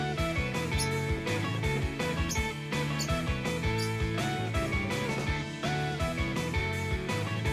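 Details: Upbeat background music with plucked guitar and a steady beat plays throughout, with no cockatoo or other animal voice.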